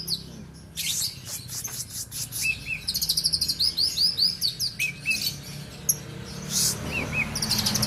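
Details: Kept Argal oriental magpie-robin from Aceh, Indonesia, sings in bursts: harsh high notes, a rapid chattering trill of repeated chips, and paired short whistles, against steady low background noise.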